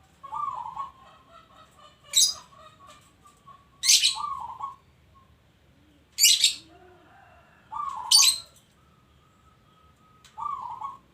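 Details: Zebra dove, local Indonesian perkutut type, singing: soft low cooing phrases with stacked tones recur about every two seconds, broken by loud sharp bright bursts, possibly from another bird, over a faint low background hum.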